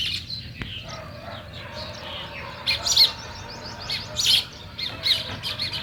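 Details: Sparrows in a natural morning scene give sparse, faint high chirps, a few brief bursts around the middle and end over a steady low background hum.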